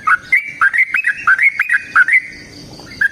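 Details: Sooty-headed bulbul fighting song, used to provoke other bulbuls into singing, a quick sequence of about ten whistled notes rising and falling between two pitches, followed by a short pause.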